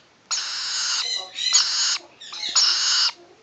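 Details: Rainbow lorikeet chicks almost 7 weeks old, enjoying a scratch, give three harsh, hissing, raspy screeches, each drawn out for well over half a second, with short breaks between them.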